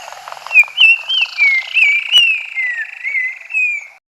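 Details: Black-crowned tchagra (Tchagra senegalus) song from southern Africa: a run of about a dozen clear, slurred whistles over four seconds, rising and falling in mid pitch, with faint chirps behind.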